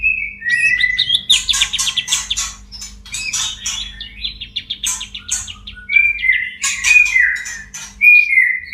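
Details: White-rumped shama, caged and in breeding condition, pours out a busy mating song: opening whistles, then dense scratchy chatter and stuttering notes, closing with bright slurred whistles; a soft hum runs throughout.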